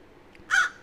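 A crow gives a single short, harsh caw, rasping and mid-pitched, against a quiet background.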